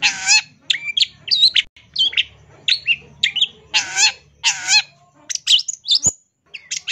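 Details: Long-tailed shrike master song used to get young birds singing quickly: broad harsh bursts, squeaky chirps and buzzy notes in short phrases, with a low hum underneath.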